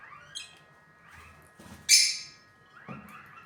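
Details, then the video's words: A pet lutino lovebird lets out one loud, piercing screech after soft, thin upward-sliding calls; more faint rising notes follow, with a low background hum throughout. "lutino love birds"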